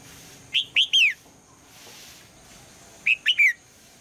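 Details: In the morning a female red-whiskered bulbul calls to coax the male's song: three ringing whistled notes that dip downward, a quiet pause of two seconds, then a similar three-note phrase.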